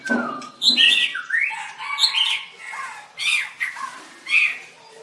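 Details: Singing white-rumped shama at a songbird contest: rough, buzzy slurred notes and brief whistles in uneven phrases.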